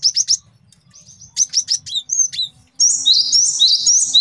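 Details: Male cinereous tit used to train songbirds and lure birds for trapping: rapid runs of sharp high chips and short whistles, then a sustained bright ringing chatter to the end.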